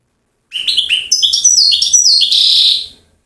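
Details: European goldfinch singing in Settat, Morocco, in a prized rare recording: a lively run of varied twittering notes climbing in pitch, ending in a rough buzzy trill.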